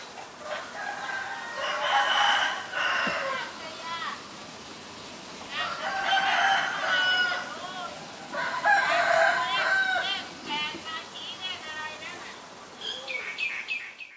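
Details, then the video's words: White-vented myna recorded in Ubon Ratchathani, Thailand, 9 March 2022. Three loud bouts of harsh, harmonic chattering are separated by quieter gaps, ending with sharp repeated notes. "นกเอี้ยงหงอน หรือนกเอี้ยงดำ (White-vented Myna)"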